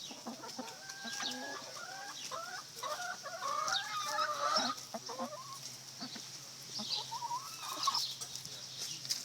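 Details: Neighbours' chickens clucking and murmuring, several overlapping wavering calls rising and falling, fairly distant under a steady hiss and high background noise.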